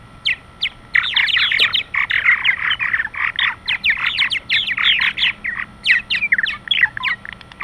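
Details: Purple martins arriving at their roost for the night chatter and chirp constantly, with many overlapping squeaky, gurgling notes in quick bursts; a dense chorus of several birds calling at once.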